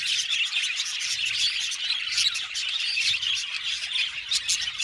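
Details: Budgerigars chattering as a colony in an aviary, dense squawky twitters and chirps overlapping steadily, with bursts of louder scratchy notes.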